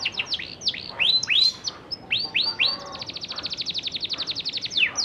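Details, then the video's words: Juvenile canary practising its song, used to stimulate other canaries to join in: quick upward-swept whistles in clusters, then a steady rapid trill of about eight notes per second running to the end. "PANCINGAN KENARI PAUD BELAJAR BUNYI NGEROL SANGAT AMPUH UNTUK MERANGSANG KENARI BAHAN AGAR IKUT BUNY"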